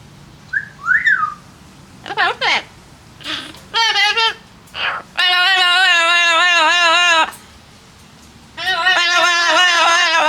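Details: An Amazon parrot, chatty while drying off on a nice day alongside another parrot, gives a rising whistle, a few short squawks, then two long nasal, speech-like drawn-out calls in a quiet room.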